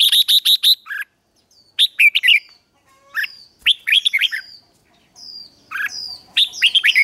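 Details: A red-whiskered bulbul (Pycnonotus jocosus) in morning training song gives a quick run of five bright chirps, then lively, varied whistled phrases in bursts with brief pauses between.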